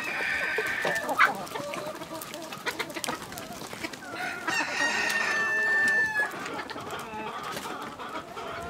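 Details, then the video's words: Village chickens, with a rooster giving a long drawn-out crow around the middle over steady clucking from hens, plus scattered knocks and rustles in a relaxing farmyard scene. "Dinlendirici Tavuk Sesleri Doğal"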